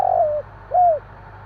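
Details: Spotted dove, Javan type, at night giving a long burry coo that drops in pitch, followed by one smooth arched coo, over faint steady hum.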